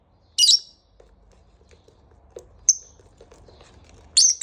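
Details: Lovebird kept as a pet, calling in the morning: a harsh high chirp, a lone whistled note and a closing loud shrill burst, with soft ticking and tapping sounds in between.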